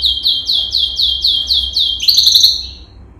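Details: Male yellow canary (Serinus canaria) performing training song: a fast series of high, downslurred whistled notes, about eight in quick succession, then a brief buzzy, rattling trill that fades, over a faint low hum.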